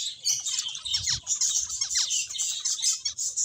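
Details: A flock of finches playing, producing a steady wash of rapid, high, tinny chirps overlaid with short downward-sliding call notes.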